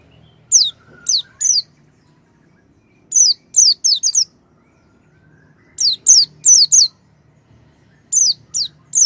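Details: Oriental white-eye song played to prompt a silent bird to start singing: clusters of high, thin, falling whistled notes, in groups of two or three, with gaps of over a second between bursts and near-silent surroundings.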